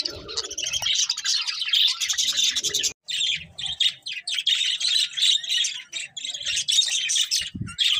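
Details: Budgerigars singing while eating, a dense stream of chirps and warbles between two and eight kilohertz, with a brief pause near the third second and soft low knocks of feeding beneath.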